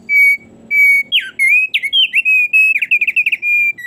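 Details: Vigorous song of a thick-billed heleia: two steady whistles, then a rapid run of bent, slurred notes and short trills, delivered almost without a break over four seconds.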